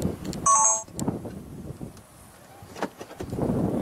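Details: A brief metallic ding rings out over outdoor rumble and faint traffic-like noise, with no animal sound heard.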